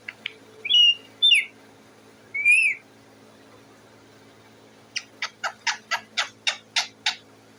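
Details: Parrot perched on its cage, noisy for food: a few clear looping whistles with harmonics, a pause, then a steady run of nine sharp squawks about every quarter second.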